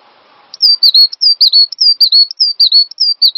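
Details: Cinereous tit singing on a master recording used to train songbirds and prompt them to sing: clear, loud whistled phrases, each a high note dropping to a lower one, repeated steadily about twice a second after a brief murmur.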